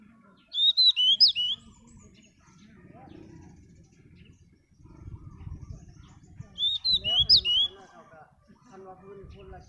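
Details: Singing pied bush chat, Pakistan: two separated phrases of quick, sweet, jumpy whistled notes, with low murmuring voices and rustling heard between them.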